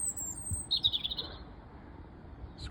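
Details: Robin singing from up high: a thin, very high whistle, then a short bright twittering phrase slurring around mid-high pitch, over faint low background rumble.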